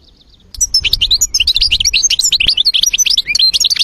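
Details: European goldfinch in varied old-style song: after a soft opening, a rapid, dense run of high chirps, liquid twitters and thin whistles tumbling continuously over low background rumble.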